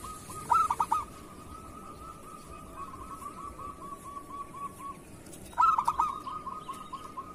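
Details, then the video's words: Kerot-style song of a local zebra dove, played to train other doves. Two loud clusters of staccato notes each lead into a long, fading, rolling trill. Low-level background hum. "Suara perkutut lokal masteran perkutut kerot"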